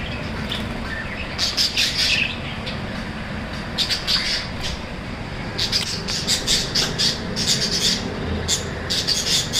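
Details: Budgerigar voice: bursts of scratchy, high chattering squawks and chirps in clusters of several notes, separated by short pauses, over a constant background hiss and low noise.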